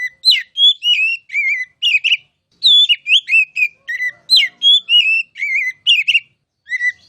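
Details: Kacer masteran song from an oriental magpie-robin: lively unbroken series of varied whistles, up-slurs and trills, each phrase differing from the last, no background noise.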